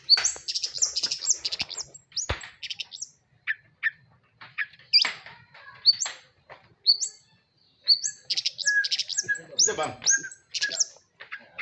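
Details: Caged Madura long-tailed shrike singing a busy, varied song of sharp high chirps, squeaky whistles and scratchy notes in rapid bursts separated by short pauses, with faint low murmurs beneath.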